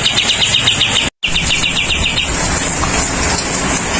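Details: Bulbul singing during rain: a quick series of bright, chirping notes repeated in a rapid run, half buried under heavy steady rain noise, with a brief break in the sound.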